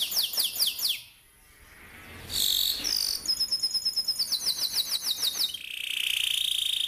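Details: Atlantic canary song, played as a lure to train young canaries to sing, with long rolling trills: fast high repeated notes in runs, a short pause near one second, then clipped buzzy notes and another quick rolling series.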